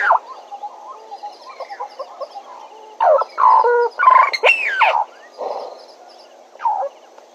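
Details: Bennett's woodpecker at Djuma, picked up by a live camera: bursts of loud nasal, harmonic notes with sharp rising and falling sweeps near the middle, after quieter scattered calls over a steady background hiss.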